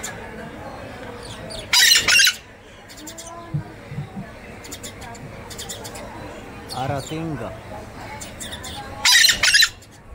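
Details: Scarlet-fronted parakeet giving two loud, harsh, grating screeches several seconds apart, with softer chattering and faint voice-like tones in between.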